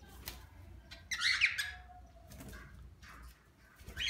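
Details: Harsh, raspy squawks in short bursts, the loudest about half a second, with scattered chirps and wing flutters, from an aviary of about six-month-old cockatiels: four grey, four lutino and two pearl.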